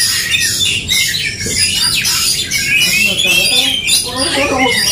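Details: Oriental magpie-robins fighting in song: high, harsh chattering and sharp whistles, densely packed, with rapid sweeping notes and occasional lower buzzy squawks.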